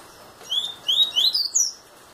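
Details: Young double-collared seedeater, eight months old, singing: a short run of bright, high whistled and slurred notes, several quick rising and falling phrases in under two seconds, over a quiet background.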